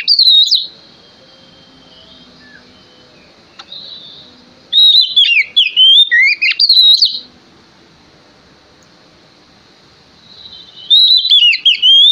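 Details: Song of a male Oriental magpie-robin in full voice, used as a lure to draw other birds into song. Short bursts of bright, twisting whistles come in three bouts with near-silent pauses of several seconds between them.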